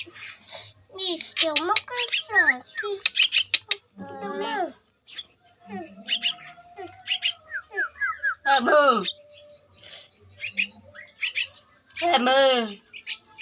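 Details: Javan myna nestling aged two weeks: rough, raspy squawks and wavering descending cries repeated in irregular bursts, interspersed with high buzzy chirps and short quiet gaps.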